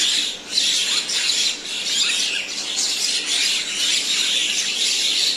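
Common myna giving harsh, squawking calls mixed with high chirps, continuous and busy throughout, as if several birds call together.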